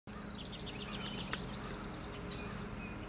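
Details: House wren (Troglodytes aedon) sings a quick, bubbly burst of high chattering notes tumbling for about a second, over low rumbling background and one sharp click; St. Anne de Madawaska, New Brunswick, Canada, July 1, 2020. Finding: House Wren.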